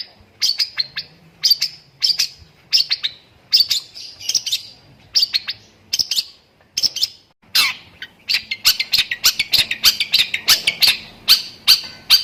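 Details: Long-tailed shrike singing with lovebird phrases: clusters of quick scratchy chirps separated by short pauses, building into a continuous, dense run of shrill twittering in the second half.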